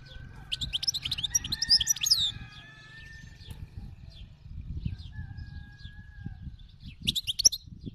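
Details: Wild European goldfinch song in two bursts: a dense, high, tinkling twitter in the first two seconds, a pause with a faint steady tone, then a short sharp burst near the end, over low rumble.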